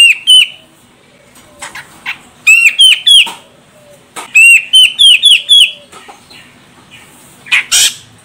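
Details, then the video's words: Calling female grey-cheeked bulbul, Medan form from Sumatra, used to make the male sing at once: groups of loud, hooked whistled notes, often three or four in quick succession, with scattered sharp chips between bursts. "Cucak Jenggot Medan Betina Ini Bikin CJM Jantan langsung Koar Koar"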